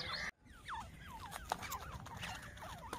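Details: Three grey francolins that came out in front in the jungle give short, falling chirped notes in quick overlapping bursts, several birds at once, after a brief silent gap at the start.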